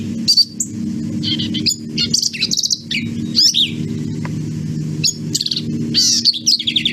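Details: Short, emphatic, nasal phrases of a Black-capped Vireo come in rapid succession, mixing clipped high notes with quick downward slurs, over continuous low-pitched background noise.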